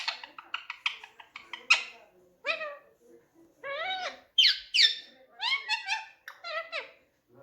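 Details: Ring-necked parakeet kept as a talking pet, giving quick clipped chatter followed by longer, word-like rising and falling phrases and a few sharp high notes. The utterances come in busy bursts with brief gaps.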